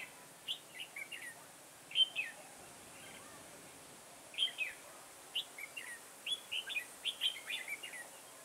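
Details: In a garden trapping session on 9 October 2017, a decoy red-whiskered bulbul sings clusters of crisp, chirpy warbled notes, with a louder flurry at two seconds. A denser run of phrases follows between four and eight seconds, over a quiet hiss.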